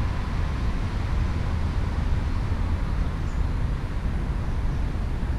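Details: A steady, deep traffic rumble fills the recording, with no animal voices heard.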